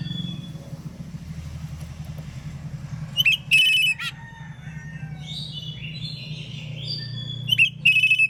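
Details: Oriental magpie-robin in the morning, singing loud ngeplong phrases to draw answers from other magpie-robins: two strong ringing whistled bursts about four seconds apart, softer warbling between them, and a low continuous hum.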